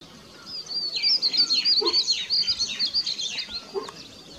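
Bluebird song: a busy run of high, slurred warbling notes, rising and falling several times a second, over a faint background hiss.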